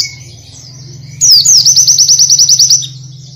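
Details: Oriental white-eye singing in a full-variation tutor recording: a high sliding whistle drops into a rapid string of about a dozen sharp, evenly spaced chipping strokes, then fades. A steady low hum runs throughout.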